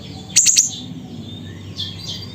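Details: Siri-siri from Busu Reului, Mutiara district, Pidie, Aceh, giving a quick burst of three sharp, very high piercing notes, followed by softer distant chirps from other birds over a low steady hum.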